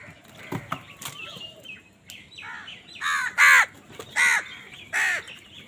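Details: Crows contesting food with wild birds: four harsh, grating caws in the second half, about every half to one second, after softer chirps and clicks from smaller birds.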